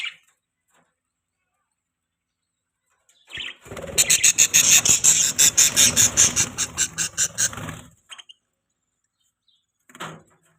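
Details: Pet budgie letting out a fast, shrill run of rapid squealing chirps lasting about four seconds, with a few single calls before and after and near-silence between.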